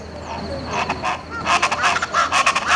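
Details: Speckled chachalaca, Buena Vista Peak, eastern Andes toward the Llanos, in June: after a quiet start with faint thin notes, loud rasping, cackling bursts break out in quick succession and continue to the end.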